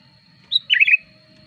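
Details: Sooty-headed bulbul lure song for attracting wild birds and tutoring caged ones: a high clipped note, then a short, liquid, bubbling warble with a falling tail, over a faint constant whine.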